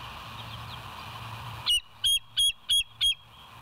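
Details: A bald eagle, caught by the West End live nature cam on 07/09/2023 at 06:24, gives five loud, clear, high whistled yelps spaced about a third of a second apart, following quiet background hum.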